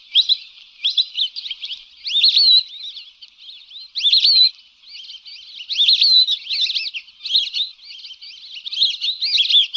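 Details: Lesser whistling duck lure recording for hunting: bursts of sharp, whistled twittering notes, often rising then dropping, coming in clusters every couple of seconds between quieter stretches of overlapping calls.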